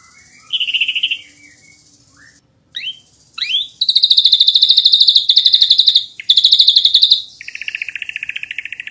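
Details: Ashy drongo singing in dense, rapid-fire masteran style: a brief buzzy phrase, several upward-swept whistles, then long bursts of very fast, even, high chattering notes, ending in a lower, slightly softer rattling trill.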